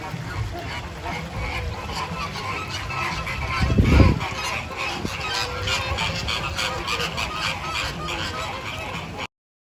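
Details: Flamingos calling, a dense, continuous chorus of nasal, goose-like honks overlapping throughout, with one louder, deeper burst near the middle and steady background hiss.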